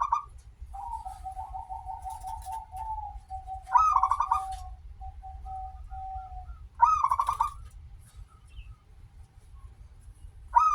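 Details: Local zebra dove with a long opening note, used to lure other zebra doves into song: several rippling coo phrases, between them long runs of softer, lower, evenly spaced notes from a drawn-out trill.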